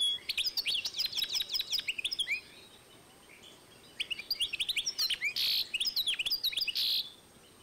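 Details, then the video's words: Goldfinch crossed with canary, recorded 2012, delivering fast high twittering phrases, then a pause near three seconds before more varied chirps and buzzy notes. "European goldfinch X Canary"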